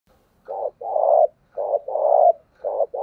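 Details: Spotted dove cooing as a lure for wild doves: low hollow coos in paired short-long phrases, a brief note then a longer drawn coo, repeated twice in three seconds, quiet background.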